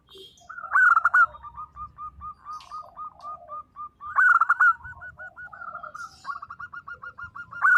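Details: Local zebra dove singing hard in the 'nembak' manner: strong bursts of rapid harsh notes separated by long, steady strings of soft looping coos, repeated about every three seconds.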